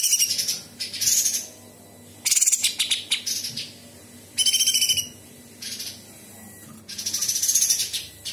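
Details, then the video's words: Cucak cungkok bulbul singing actively, including imitations of small and large birds and insects. High, bright warbled phrases in bursts of about a second, with faint background hiss between them. "Cucak Cungkok istimewa gacor"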